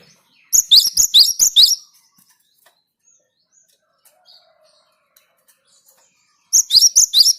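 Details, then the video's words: Java sparrow in song meant to set other birds singing: a quick string of high, ringing, clicky chirps lasting over a second, a long quiet gap with faint ticks, then the same bright chirping resumes. "Gelatik gacor perangsang burung lain ikut gacor"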